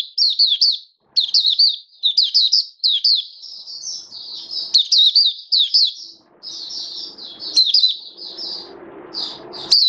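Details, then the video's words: Oriental white-eye in captivity, 21 October 2022, tested with a song-display booster: near-continuous high, sweet chirping phrases of falling notes with short gaps, a low rumbling noise rising near the end. "Mata Puteh Buka Sing Raja"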